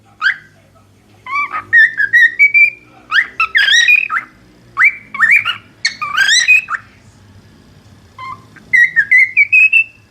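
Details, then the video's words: Cockatiel song made of rising whistled runs, each phrase climbing in small steps with harsher chattering notes mixed in, the phrases separated by short pauses. "شاهد اروع غناء من طيور الكوكتيل خرافي"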